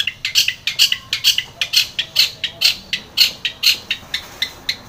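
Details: Lure song of a long-tailed shrike, meant to make a quiet shrike respond: steady rapid series of bright, sharp chirping notes, about two to three per second, evenly repeated throughout.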